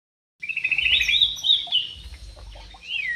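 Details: Javan pied starling singing: a fast buzzy trill opening into bright, high warbled whistles, with a rising-falling whistled note at the end and faint low rumbling behind.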